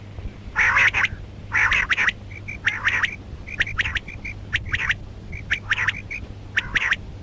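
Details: Female rain quail calling, mixed with karkari: loud harsh squawks at first, then shorter quick paired notes with small chirps between, about one burst per second, low steady hum underneath.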